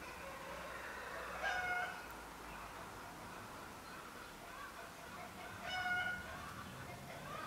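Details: Eurasian bullfinch calling: two short, soft piping whistles about four seconds apart, each a clear flat note, against a faint background hiss.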